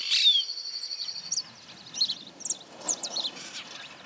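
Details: Brown-chested martin in Santa Fe, Argentina, 2023: a brief burst of high, thin chirps followed by scattered short twittering notes, with a quiet natural background.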